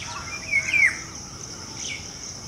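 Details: Golden oriole singing in the breeding season: one clear whistled note that slurs downward, then a softer fainter phrase, over a steady high insect drone.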